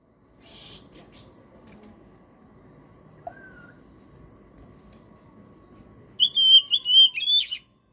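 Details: Oriental magpie-robin (kacer) singing 'gacor' as a trigger recording for silent birds. Mostly low background noise with a soft scratchy sound early on, then a closing burst of loud, high, clear whistled notes.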